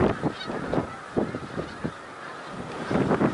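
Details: Snow geese calling together at Middle Creek Wildlife Refuge, Pennsylvania, in early March 2021: countless honks blur into one roar, broken by repeated low rumbling thumps.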